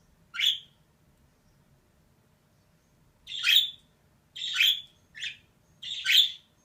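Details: Female budgerigar, a pet bird, calling: harsh, buzzy chirps spaced irregularly, one isolated call then a loose run of four near the end, over a quiet background.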